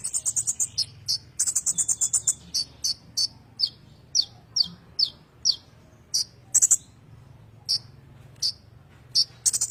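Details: Sunbird (kolibri ninja) singing in a continuous rolling style, offered as a master song for training magpie-robins: very high, thin, sharp chirps and short buzzy trills, repeated in quick bursts and spaced notes, over a faint low hum.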